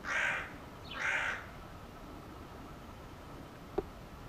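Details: Two raspy caws from a hooded crow in quick succession, then quiet with a single sharp click near the end.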